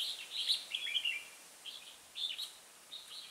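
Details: Red-whiskered bulbul used as a decoy bird for trapping, giving a fighting song: short bright warbled phrases of chirpy, slurred whistles in bursts, with pauses between phrases.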